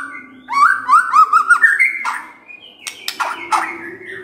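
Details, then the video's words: White-rumped shama morning song for provoking a quiet bird: a quick rippling series of warbled notes, then a long whistle and scratchy bursts, with low hum underneath. "Pancingan PAGI-PAGI AGAR MURAI GACOR❗ murai diam pasti ikut NYAUT❗❗"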